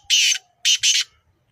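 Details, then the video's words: Black francolin recorded at Nawabshah, Pakistan, giving loud, harsh, rasping notes: one long note, then a quick double note. "Kala Teetar Ki Awaz | Black Francolin"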